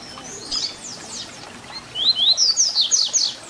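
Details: ["Double-collared seedeater, or papa-capim, sings the 'Tui Tui Zel Zel' fibra song meant for tutoring young birds. After faint high chirps, a loud phrase of two rising whistles leads into a quick series of piercing downslurred notes."]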